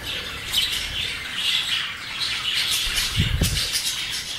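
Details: Four English budgerigars playing, chattering with scratchy, high chirps and warbles over soft thumps and fluttering.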